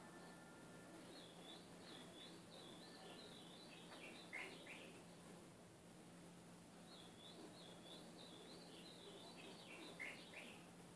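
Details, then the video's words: Two full ultramarine grosbeak phrases, played to teach a caged seedeater: each a string of sweet whistles stepping up and down before a falling, slurred ending, separated by a pause, with a steady electrical hum underneath. "Treino do meu Golinha CANTO AZULÃO!!!"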